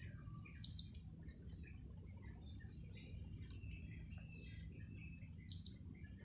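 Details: Blue-crowned hanging parrot near mangroves gives its close-range contact call, said to be the same in every region: two short, shrill, very high notes about five seconds apart, over a steady high insect drone.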